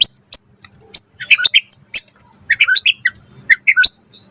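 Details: Singing white-rumped shama, played to draw an answer from other birds: scattered sharp clicks and short high whistled notes, grouped into quick clusters with gaps of quiet between.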